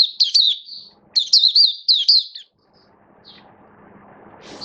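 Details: Oriental white-eye kept as a songbird, recorded 19 September 2022 in build-up form: two clear bouts of fast, high, sweet twittering with slurred down-sweeping notes, then silence and a faint single note, with a soft low hum.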